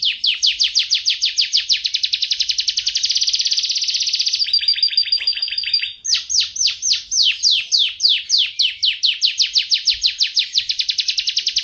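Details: Canary (Serinus canaria), an F1 bird, sings fast, high rolling trills of repeated down-slurred notes, several a second, broken by a brief buzzy held phrase before the trills resume; the song is used to train other canaries to sing.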